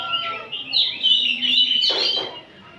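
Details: Many oriental magpie-robins singing together in the afternoon as kacer ombyokan training material. Bright, sweeping whistled phrases rise to a louder run, then a brief harsh noisy burst before the sound fades.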